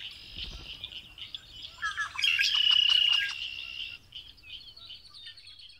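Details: Red-winged blackbird giving chirps and whistles, rising to a loud sustained buzzy trill near the middle that lasts about a second, followed by softer high notes.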